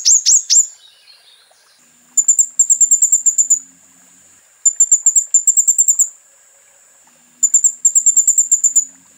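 A sunbird's very high, thin song: rapid bursts of sharp ticking notes, each about a second and a half long, repeated every two to three seconds.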